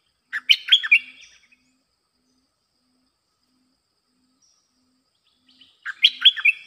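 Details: Two bubbly bulbul phrases about five seconds apart, each a fast run of clear rising and falling chirps, with silence between. The song is used to attract wild birds.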